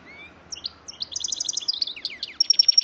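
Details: Goldfinch-canary hybrid singing a short phrase of quick repeated high twittering notes, building into a faster series and finishing with a thin sustained whistled tone.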